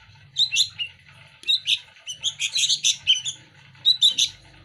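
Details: Sooty-headed bulbul nestlings begging while being hand-fed: scattered harsh chirps building to a dense chattering burst, then a few last squeaky notes, low hum behind.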